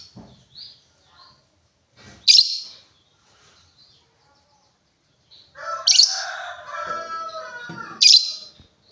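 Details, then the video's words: Lovebird giving a few sharp, high, piercing chirps spaced several seconds apart, with a brief burst of buzzy, harsh chatter around the middle and quiet pauses between. "LOVEBIRD NGETIK NGOEK LANJUT NGEKEK"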